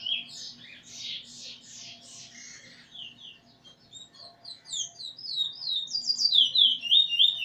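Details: Young Eurasian bullfinch singing along with its tutor bird while learning song, 13 August 2020. Soft, blurred whistles give way to brighter, crisp falling notes delivered quickly and rhythmically. A faint steady hum sits beneath.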